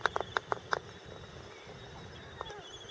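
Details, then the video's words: Brooding albatross at Midway Atoll; a quick series of five sharp, loud wooden clacks in the first second, then quiet with a single softer clack and a faint rising note near the end. "A Brooding Albatross at Midway Atoll"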